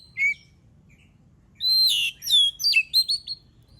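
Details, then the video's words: Oriental magpie-robin (kacer) song used as a lure to make other birds sing: a brief whistle, then a rich rapid run of loud varied whistled and chattering notes. "Suara burung kacer gacor paling ampuh buat pancingan"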